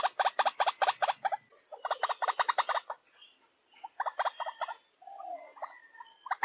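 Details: White-breasted waterhen calls from a male, female and juvenile together: bursts of rapid, harsh, pulsed notes repeated in quick runs, with short pauses between groups and a few softer scattered notes.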